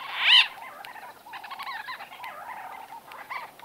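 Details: White-fronted bee-eaters conversing at close range. A sharp, loud rolling call opens, then quieter burry, trilled chatter continues steadily for several seconds.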